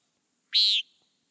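A Common Nighthawk gives a single harsh, nasal, buzzy "peent" lasting about a third of a second, then quiet.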